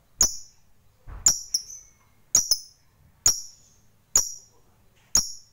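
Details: Lovebird fighter in a lure recording used to stir other lovebirds to sing; six sharp, very high, clipped chips spaced roughly one second apart, with near silence between them.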